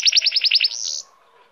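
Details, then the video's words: Short burst of goldfinch hybrid song: a rapid trill of about eight bright, evenly spaced notes sliding into a thin sustained whistle before falling silent. "cante de hibrid de sticlet - Mixto de Jilguero - الهجين الحسون"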